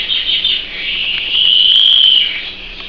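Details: Canary kept as a pet gives a sustained high, buzzy rolling trill that swells louder in the middle and then fades slightly.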